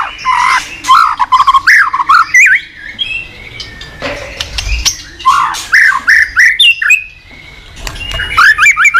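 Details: White-rumped shama in a cage, morning song played as a lure for other cage birds: long varied phrases of looping, warbled whistles with short pauses and some harsh notes between them.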